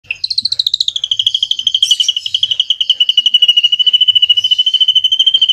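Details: Drongo singing a long 'cililin' style phrase, played to tutor magpie-robins: a rapid, steady trill of high whistled notes, about three per second-fraction, slightly falling at first and then held level for several seconds.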